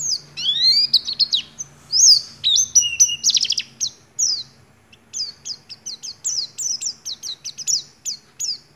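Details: An Oriental white-eye's 'nagen ngecrok' style song, mimicking white-rumped shama phrases. It opens with varied rising and falling whistles, then settles into a regular series of short, high, downslurred notes.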